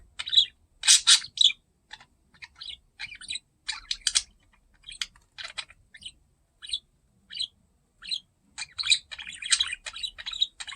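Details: A curious pet budgerigar investigating a camera gives irregular bursts of high, scratchy chirps and squeaky warbles, about two a second with short pauses between, and nothing else is heard.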